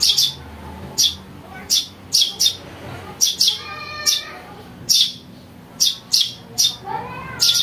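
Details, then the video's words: Calls of a young house sparrow, used to lure birds and for training: a rapid, irregular run of loud, harsh, high chirps, often in pairs, with a few soft whistled notes in between. "Suara anak burung greja untuk mikat | masteran"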